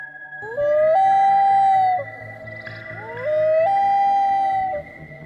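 A loon gives two long wailing notes, each sliding up then holding a steady, mournful tone, over soft background music.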